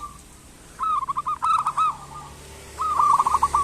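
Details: Local zebra dove calling to spur lazy doves into sound. Two short phrases of fast, stuttering coos stand over a faint background hum.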